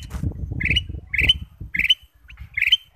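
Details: Bulbul known as kutilang emas, singing as a lure to prompt other birds: four short bright chirped phrases spaced about half a second apart above heavy low rumbling noise.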